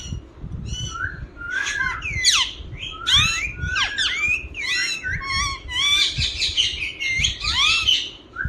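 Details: Green Indian ringneck parakeet chattering continuously: a jumble of harsh, high squawks and swooping notes over a constant low rumble.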